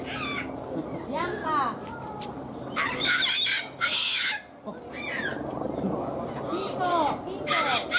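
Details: Captive sulphur-crested cockatoo at Ueno Zoo in Tokyo, Japan: harsh, raspy screeches come in loud bursts of about a second, mixed with curving harmonic squawks and a steady murmur of voices in the background.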